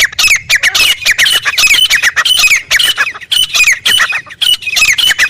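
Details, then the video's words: Wild francolin (desert teetar) in a desert area: a dense, continuous run of harsh, squawking notes, each dropping in pitch, repeated rapidly and loudly throughout with hardly a pause. "Desert Teetar | خوبصورت تیتر کی قدرتی آواز"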